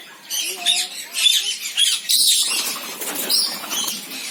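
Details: Senegal parrot giving harsh, hissing squawks in rapid bursts, some carrying thin whistled notes, tightly packed and overlapping for the whole few seconds with little pause between them.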